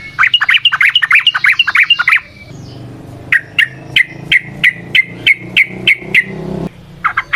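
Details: Trucukan, or sooty-headed bulbul, singing actively in the lure song meant to train other birds: a fast run of tumbling, bubbly notes, then a pause, then a steady series of sharp, evenly spaced chirps about three times a second.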